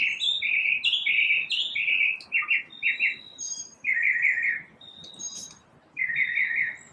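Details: A lone bird singing in the morning, giving burry, rattling notes in short groups separated by pauses, with a few thin, higher notes scattered between them.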